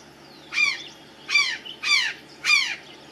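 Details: Azure jay perched on the highest branch of a tree, calling four times: loud, harsh, rasping notes that slide downward, spaced about half a second to a second apart.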